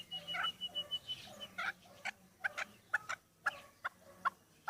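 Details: Home-raised chukar partridge, playfully fighting with its keeper's hands, gives short clucking notes spaced at uneven intervals, with a faint whistled note early on.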